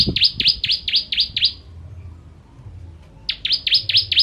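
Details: Bar-winged prinia, locally ciblek, in the crystal 'tembakan pedas' style for training birds: two volleys of loud, high, downward-swept notes, about six and then five, separated by a pause of nearly two seconds.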